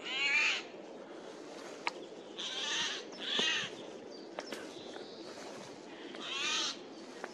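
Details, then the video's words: Eurasian jay calling loudly in a forest, April 2024: four coarse, scratchy screams at uneven intervals, with a few sharp clicks between them. "Голос сойки"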